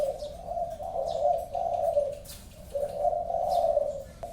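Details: A spotted dove (tekukur) delivering two drawn-out, mellow, low-pitched coo phrases separated by a brief pause, with a few faint bird chirps in the background.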